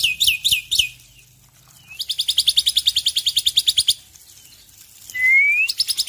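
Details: Male Black-winged myna singing in the morning, an Indonesian endemic: looping chirps, then a long fast rattling trill of evenly repeated notes for about two seconds, then a rising whistled slur and more chirps.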